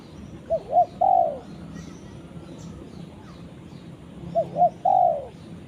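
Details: Soft, low cooing of a spotted dove calling its companion, two phrases each made of two brief hooted notes and a longer descending coo, separated by a pause of about three seconds.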